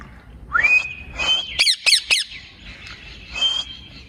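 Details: Pet ring-necked parakeet, a talking parrot, sounding a rising whistle that levels off, then three sharp harsh squawks and another level whistle.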